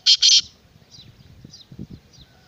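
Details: Black francolin, locally kala teetar, utters two loud, harsh, rasping bursts back to back, followed by faint distant chirping birds and low rustling noise.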